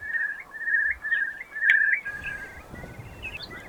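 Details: Eurasian Curlew on a hill walk in Highland Perthshire, Scotland, giving its bubbling call: fluty, rolling notes that step upward and quicken into a liquid trill, over light outdoor background noise.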